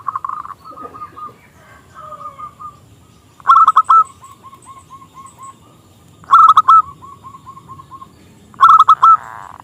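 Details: Small-voiced local zebra dove singing to draw rivals into song: three loud bursts of rapid rolling notes, each followed by a trailing row of softer, evenly spaced hoots.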